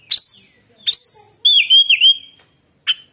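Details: Oriental magpie-robin song said to silence other magpie-robins: two bright descending whistles, a wavering warbled phrase, and one final short note.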